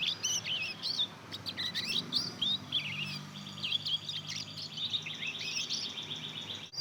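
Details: Young mozken, Mozambique canary crossed with canary, two months old and practising its first song: an unbroken, jumbled stream of high twittering, slurred chirps and thin warbles that runs the whole time.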